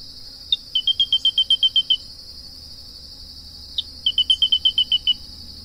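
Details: Grey-breasted crake song: a sharp introductory note followed by a quick run of about eight high, even, slightly descending notes, given twice, over a steady high-pitched insect drone.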